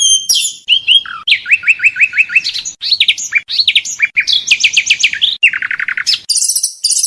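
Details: Oriental magpie-robin training song for contests: fast trills of repeated upslurred notes in rhythmic runs, interspersed with whistles and a final high buzzy flourish.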